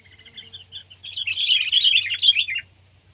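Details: Sooty-headed bulbul, from a comparison of kept and wild birds: soft scattered notes at first, then a loud burst of rapid chattering, warbling phrases for about a second and a half that stops abruptly, over a faint low hum.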